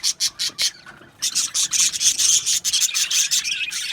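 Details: Budgerigars in an aviary colony, giving rapid scratchy chirps in bursts, at first spaced and then running together into continuous harsh chatter.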